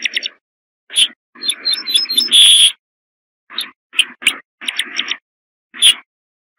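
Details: Corn bunting singing: a run of short, dry ticking notes that quickens into a dense, jangling, metallic flourish about halfway through, with scattered brief chirps and clicks before and after.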